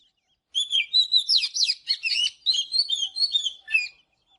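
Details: Oriental magpie-robin giving its morning song: after half a second of quiet, a continuous three-and-a-half-second stream of bright, rapidly changing whistles, rising and falling slurs and chattering notes.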